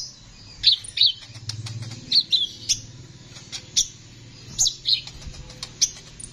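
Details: Sunbird known locally as Kolibri ninja sings energetically: high, sharp tsip notes and short slurred chirps scattered irregularly, with a faint low hum underneath.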